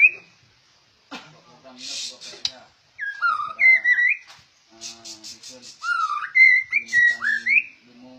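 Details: Well-trained captive white-rumped shama, described as rare, delivering rich whistled phrases. Sliding notes dip and rise, mixed with short buzzy bursts and a few lower tones, in bursts separated by brief pauses.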